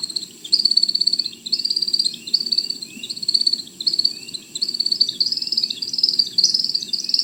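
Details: American Woodcock male display flight: high, twittering chirp-like whistles in quick bursts, about one each second, as he zigzags down from the sky, over a low background rumble.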